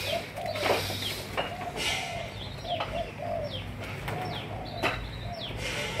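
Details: Spotted doves of several Malaysian strains, kept for breeding, give low, soft coos in short phrases, while repeated high, sharp descending chirps from other birds cut through a steady background hum.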